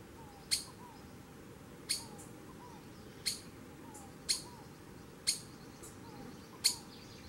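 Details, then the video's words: Repeated sharp, harsh squeaks from a calling Streaked Flycatcher, six notes about once a second, with quiet curving low whistles and a steady hum behind. "BEM-TI-VI-RAJADO chamando (Myiodynastes maculatus) Streaked Flycatcher"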